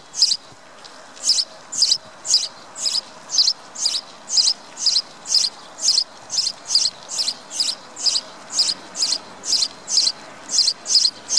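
A sparrow gives a steady run of short, high chirps, about two every second, over faint background hiss.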